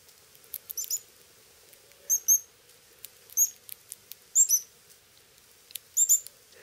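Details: Pyrrhuloxia chicks fed by their male parent in summer in Terlingua, Texas, give very high, thin chirps in quick paired bursts about once a second, against a soft low hum.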